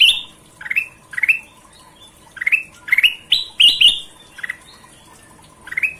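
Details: Golden-vented bulbul singing in lively gacor style, used as masteran training audio: clear whistled upslurred notes, often doubled or tripled, in short bursts about every second, with brief pauses and faint high hiss behind.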